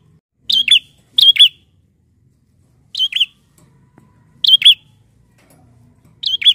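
Bar-winged prinia giving sharp, high double chips in quick pairs, repeated every one to two seconds, with a faint low background hum.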